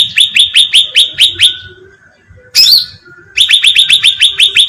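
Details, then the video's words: Sooty-headed bulbul call played as bait to lure birds: a run of rapid, rising chirps, a gap, one harsh downslurred squeak, then another fast chirping run. "suara pancingan cucak ranting"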